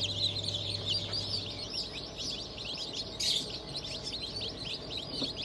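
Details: Freshly hatched chicks of Black Australorp, Sussex and Fizan breeds from a 25 May 2023 hatch cheep constantly in high thin notes; a low electrical hum fades early and a brief rustle sounds midway.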